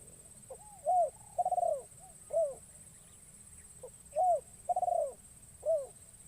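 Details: Trained caged spotted dove cooing in the forest as a lure for wild doves; two phrases of soft rounded coos, each with a long rolling middle note and a short drop at the end, over quiet hiss.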